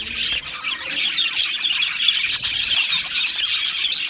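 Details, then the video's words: Australian budgerigar colony in an aviary chirping rapidly, many fast repeated high chips over a constant scratchy warble, growing slightly louder toward the end. "Beautiful Budgies Birds Singing and Chirping Sounds"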